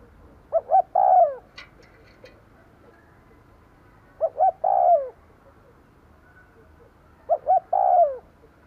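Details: Decoy spotted dove cooing to lure wild doves: three phrases about three seconds apart, each two short low hoots followed by a longer, drawn-out coo that slides downward, over quiet background hiss.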